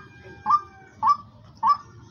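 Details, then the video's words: A hunting decoy hen for sale calls three times, each note a short clear upward slur, repeated roughly every 0.6 seconds over a faint low hum. "শিকারি মুরগির ডাক পাখির"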